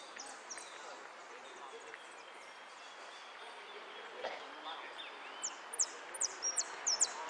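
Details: Contest jilguero (saffron finch) singing in repique style at a Zona Norte competition on 8-12-14, fourth place; after a murmur of voices, a burst of sharp, very high, clipped notes repeated quickly near the end.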